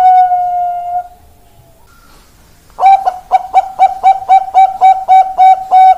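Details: Perkutut Bangkok zebra dove on 4 March 2023 ends one phrase with a long steady note, pauses, then begins a fresh burst of a dozen short, rapid, repeated coo notes at a constant pitch.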